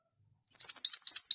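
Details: Mantenan gunung (scarlet minivet) in full 'tembakan' mode, pouring out a continuous stream of fast, shrill high notes that is still going when the recording ends.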